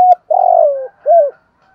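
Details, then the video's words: Spotted dove cooing from a compilation of decoy voices for training caged birds: one short clipped note, a long rolling coo that slides down in pitch, then a single arched final note. "Tiếng chim cu gáy tập bổi và mồi kích thúc giúp nhanh nổi và xiêng gáy"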